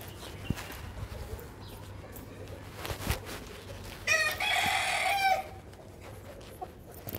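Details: Brahma rooster during an attack, crowing once in a strained, harmonic-rich drawn-out call of about a second, preceded by scattered faint knocks and followed by low background hum.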